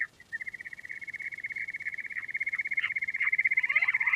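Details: Quail giving a fast, regular trill of rapid pulses at one steady pitch, gradually louder, with a few brief rising notes toward the end.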